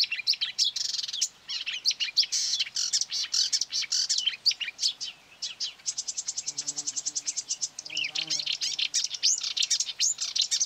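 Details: Marsh warbler attacking and trying to outsing a phone playback near quarry workings on 9 May 2020; loud, hurried medley of harsh chatters, whistles and a rapid buzzy trill, with faint low voices in the background.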